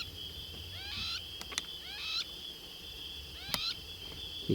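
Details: During a night game drive at El Karama Ranch, a crowned lapwing (crowned plover) calls behind a hunting bat-eared fox: three short bursts of sharp, strident notes about a second apart, over a steady high insect drone with a few clicks and knocks.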